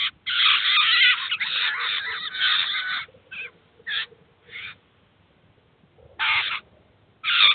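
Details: At a cheese feeder in Kaluga, a Eurasian jay feeds and teaches its chicks: a sustained harsh screeching rasp for about three seconds, then short separated scratchy calls with pauses between.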